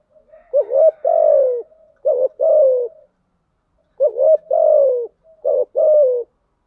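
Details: Spotted dove lure call used to attract wild doves, the 'thúc gù' and 'gáy gọi' styles: low hooting coos in paired phrases, a short rising coo followed by a longer falling one, repeated in four groups with brief pauses.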